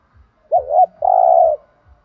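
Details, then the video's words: Spotted dove singing a thúc gù coo in the thổ đồng voice style: a short wavering double note, then one longer, steady, hoarse coo. Soft low thumps tick regularly underneath. "cu gay tho đồng thúc gù/ chim cu gáy giọng thổ đồng"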